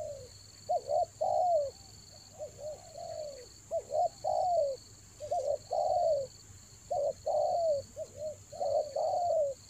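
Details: Spotted dove calling to lure wild birds during the rainy season: rhythmic low coos in groups of two or three short notes ending in a longer falling coo, repeated about every three seconds over a constant high hum.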